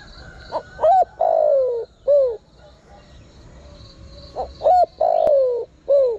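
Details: Spotted dove calling as a lure to draw in wild birds: two phrases of low cooing, each a short note, a rising-falling note, a long sliding descending coo and a short arched note, over a steady high insect-like buzz.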